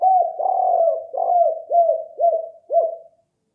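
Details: Lure call of a spotted dove: a rough, purring coo phrase followed by a series of separate hollow coos that dip at their ends, about two per second and gradually fading.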